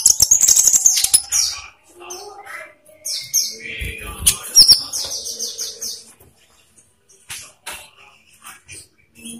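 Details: Olive-backed sunbird song used as a lure for caged birds; rapid high twittering and trills at first, then scattered chirps fading toward the end.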